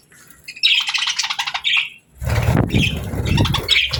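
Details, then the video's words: Happy parakeets: a burst of quick, repeated high chirps is followed by a short gap, then louder mixed chatter over a low rumbling background. "Happy Parakeets Sounds"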